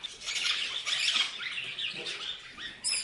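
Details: Chirping parrots in a dense, continuous stream of scratchy, high chatter, with a sharp, squeaky burst of chirps at the very end.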